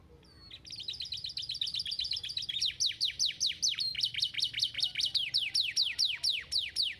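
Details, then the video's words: Stimulating canary song for lazy canaries: a quiet start builds into dense high trills, then a long train of loud, evenly spaced down-slurred notes repeated several times per second. "muito eficaz em estimular o som do chilrear dos canários preguiçosos!"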